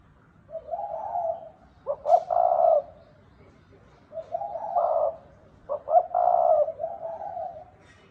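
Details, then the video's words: Red collared dove, known locally as cu gáy đồng thúc bổi, giving gáy gù cooing: two low, hoarse coo phrases, each opening with short clipped notes and then a rolling drawn-out coo, about three seconds apart. "Tiếng chim cu gáy đồng thúc bổi gáy gù"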